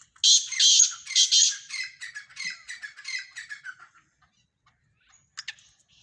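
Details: Black francolin, from a mix of Sindhi black francolin voices: a loud harsh burst of grating, squawky notes, then a quicker series of shorter rasping syllables fading out, with two brief scratchy notes near the end.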